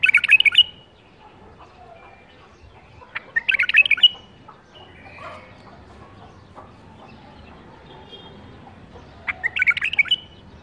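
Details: Captive-bred bulbul from the 2018 breeding season singing short, bright whistled phrases of quick chirping notes, three bursts spaced roughly three seconds apart, with quiet background between.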